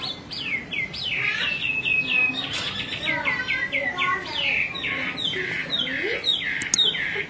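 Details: Chinese hwamei, a female calling again and again while a male grows restless: a rapid run of sharp, high, down-slurred notes, then looser rising whistles and slurs, with a faint murmur below.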